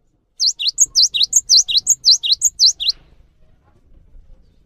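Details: Cinereous tit singing to spur other tits into song: a fast, steady series of bright whistled two-note phrases, a high clipped note then a lower V-shaped swoop, repeated roughly twelve times over two and a half seconds before stopping.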